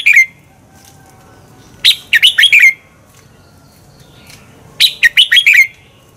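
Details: Competition-training song of a red-whiskered bulbul: two clear phrases of five quick, loud warbling notes, each ending on a falling slur, spaced about three seconds apart, with near silence between.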